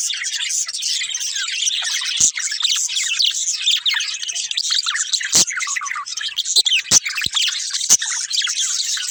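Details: Budgerigars kept together as a family, continuous high chatter of squeaky chirps and warbled notes from many birds, punctuated by a few sharp clicks or taps.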